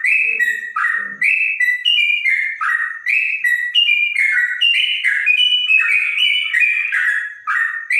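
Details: Bonang trotok singing in a clear voice reminiscent of a straw-headed bulbul: quick, liquid whistled notes in a tumbling sequence, rising and dipping, with a soft low chirp near the start.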